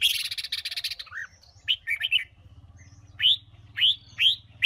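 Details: Female red-whiskered bulbul (Huế type) singing to stimulate males: short, bright whistled phrases, each rising then falling, repeated about every half second after an opening burst of chattering notes; a low hum underneath.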